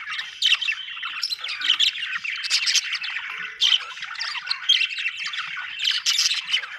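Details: Lively budgie chatter: overlapping chirps, squawks and rapid warbled trills in uneven bursts, with high clicking notes throughout.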